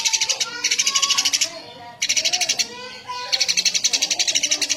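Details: Lively, chatty Eurasian tree sparrow producing long runs of fast, even, high-pitched chirps, each run over a second long, broken by two short pauses, with soft lower warbles beneath.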